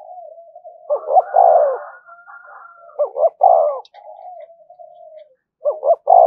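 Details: Continuous coos from a decoy spotted dove meant to provoke fights: low soft murmuring between loud phrases of two short notes and a long falling coo, three phrases in all, with a faint higher drawn tone.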